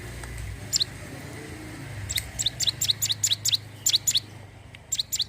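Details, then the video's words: Sunda warbler singing, a recording for luring wild birds: one chirp, then scattered groups of thin, high, downward-slurred notes, somewhat distant over a steady low hum and background hiss. "cigun gacor siap pancing burung bahan"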